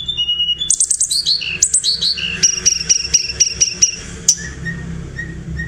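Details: Tledekan singing as a vocal tutor: quick high chirps and slurred notes, then an evenly repeated series of short whistled notes, fading into sparse softer calls.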